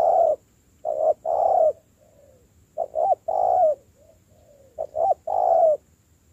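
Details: Spotted dove being trained as a decoy, cooing: several phrases of paired short notes ending in a longer mellow coo, with faint quiet murmurs in the gaps.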